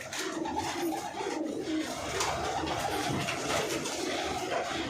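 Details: Lalband domestic pigeons in a crowded loft in Delhi, recorded in December 2022; low, soft overlapping cooing from many birds, rolling continuously under a steady hiss of background noise.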